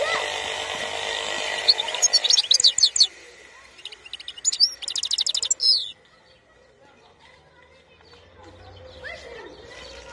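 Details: European goldfinch song recorded in Algeria in 2021: rapid bursts of high, buzzy twittering and trilled notes from about two to six seconds, then near silence with faint low murmurs.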